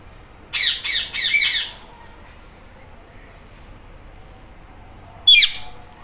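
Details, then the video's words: Indian ringneck parrot in green plumage imitating a cat's meow: three quick harsh, raspy squawks in a row, then silence and one final sharp squawk. "Green Ringneck Parrot Talking Meow Meow"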